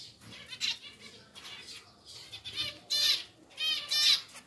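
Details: Caged pair of pied zebra finches, recently moved to a larger cage, utter short nasal buzzy calls roughly once a second, the last two loudest, with faint rustling between.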